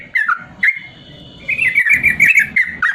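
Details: Caged yellow-vented bulbul used as a master song for lazy birds: short dropping whistled notes, a pause with a thin steady tone, then a run of bubbling whistles ending in a falling slur.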